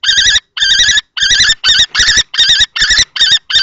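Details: Common kestrels at a nest box in Théding, 20 March 2024, an adult male fighting a young male over the box: loud harsh ringing notes, each about half a second, repeated in a steady series of nine with short gaps.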